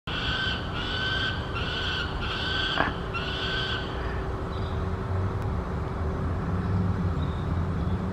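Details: A peregrine falcon fledgling begging for dinner gives a run of five or six harsh, whining notes, quickly repeated, then falls quiet over a steady low rumble.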